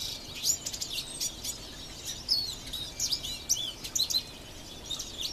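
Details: Goldfinch in song among tree branches, filmed on a Nikon P510: lively high-pitched twitters, quick chirps and short rising and falling trills repeated in clusters.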